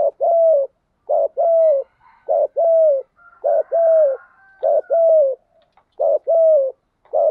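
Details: Cooing of a decoy spotted dove used to attract wild doves: steady series of low, husky two-part coos, a short lead note and a drawn-out falling note, roughly one pair each second.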